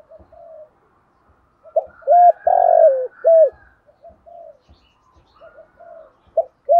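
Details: Morning cooing of a spotted dove decoy used to lure others: one full low phrase of short, long hoarse descending and short notes, soft coos around it, and another phrase beginning at the end.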